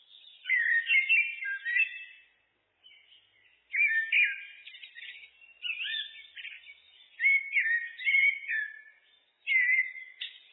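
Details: Common blackbird (Turdus merula) singing in a looped recording: five or six rich, fluted warbling phrases, each a second or two long, separated by short pauses, with a mix of rising and falling notes and no other clear sounds.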